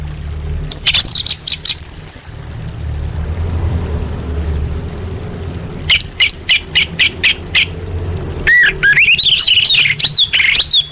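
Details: Orange-headed thrush, a kept songbird, in a training song recording: loud high whistled phrases with sharp sweeps and trills in three bursts, separated by pauses, over a steady low hum.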